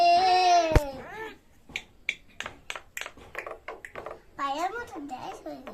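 A myna mimics human speech: a long, wavering voice-like note, then a run of short clipped syllables and a final bending, drawn-out phrase. Faint room sounds.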